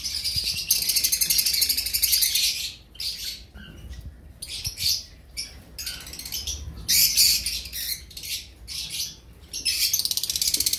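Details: Hoarse, buzzy, rapidly pulsed rasps from two-week-old cream cockatiel chicks come in uneven bursts, some loud and sustained, others short and softer, with gaps between them.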